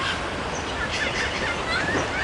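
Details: A noisy friarbird, a large honeyeater in the Australian bush that calls from dawn through the heat of the day, gives harsh, raucous, gobbling cackles in a dense burst near noon against a steady hiss.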